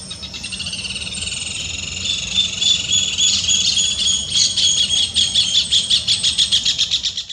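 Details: Glittering-bellied emerald hummingbird singing: a high, thin, buzzy jingle of rapid repeated notes that grows louder and more pulsed toward the end, with no other clear sounds.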